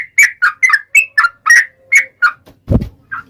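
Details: Yellow-vented bulbul in 'ropel' song, used as a lure to set bulbuls singing: nine or ten bubbly slurred whistles in quick succession, then a dull low thump and one last soft note.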